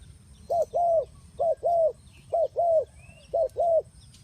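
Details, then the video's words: Spotted dove coos serving as a trapping lure: four clear two-note phrases, a brief note followed by a longer falling coo, repeated roughly every second over a low background hum. "The Sound Of Spotted Dove is so good"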